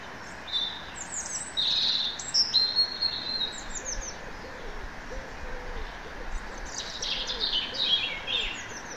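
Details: Woodland birds: high, thin whistles and rapid twittering trills come in scattered bursts, while a lower, soft, repeated cooing note sounds about every half second in the background.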